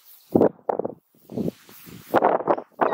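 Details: Southern screamer (chajá), a bird of wetlands, rural land and flooded areas, screaming: a series of loud, low, honking blasts in irregular pairs and singles over three seconds, each harsh and hoarse, in a quiet setting.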